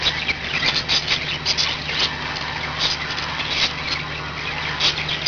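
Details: Five caged budgerigars keep up a rapid, rasping twitter with sharper chirps every second or so, layered over a persistent low engine-like hum.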